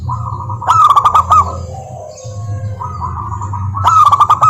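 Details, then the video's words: Local zebra dove lure song meant to set other doves singing: two bursts of quick, bouncing, ringing coo notes with crisp clicking, separated by a quieter stretch of low humming background. "Perkutut Malas Bunyi dijamin NYAUT GACOR LANGSUNG dengar pancingan masteran Kutut lokal ini"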